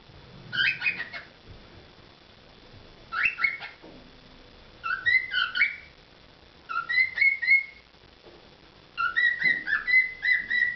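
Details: Pet cockatiel performing a whistled song in short phrases separated by pauses of about two seconds, with warbling, rising and falling notes and clear sustained whistles toward the end.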